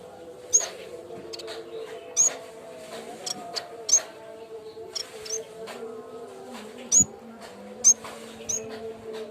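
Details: Cikrak bambu (yellow-bellied warbler) training lure: sharp high-pitched chirps and tiny ticks at irregular intervals of one to two seconds, with a low steady drone throughout.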